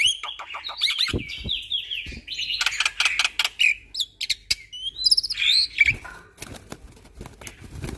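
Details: Black-winged myna in very vocal form, singing a dense song full of 'tembakan' filler shots, meant as a training master that makes other mynas panic: busy mix of sharp clicks, rattles and whistled high notes with a few brief pauses.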